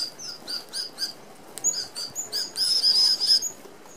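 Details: Red-browed finches feeding as a flock at an aviary feeder, an Australian native bird; thin, high squeaks repeated in a loose series, ending in a denser burst of piping calls with a sustained high whistle-like note.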